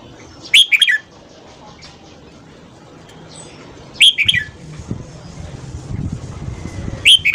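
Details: Morning singing of a red-whiskered bulbul, used for voice training to encourage other bulbuls to sing: three phrases of tumbling whistled notes about three seconds apart, with soft low background noise.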